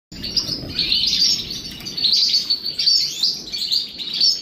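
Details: European goldfinches during a morning bath: continuous high, tinkling twitter and chirps in overlapping bursts, with a low rushing, splashing background.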